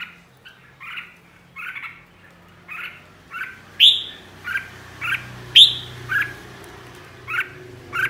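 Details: Red-whiskered bulbul, a flock leader, singing in the "ché" style. Short, bright notes repeat about once a second, with two louder, sharp rising accents standing out in the series. A faint low hum sits underneath.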